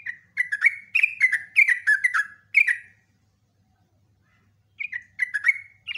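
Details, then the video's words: Long-phrased song of a sooty-headed bulbul used as a lure: a string of bubbly, warbled whistles, a silent stretch of nearly two seconds, then the phrases resume. "BURUNG TRUCUKAN GACOR ROPELAN PANJANG"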